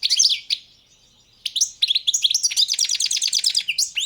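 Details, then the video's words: {'caption': 'European goldfinch, subspecies balcanica, in full song: a chirpy burst, a brief pause, then a fast continuous twittering of tinkling notes and rapid trills.'} "Pesma štiglića, češljugara , grdelina, lokera carduelis balcanica"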